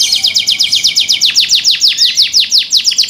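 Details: Loud canary song made of rapidly repeated downward-sweeping high notes, the phrase slowing slightly and shifting to broader swept notes midway, continuous throughout.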